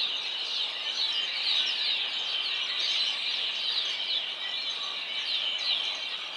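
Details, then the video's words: Flock of red-winged blackbirds singing a steady, dense chorus of overlapping high chirps, whistles and buzzy trills without pause; a mourning dove is also present. "Flock of Red-Winged Black-Birds Singing"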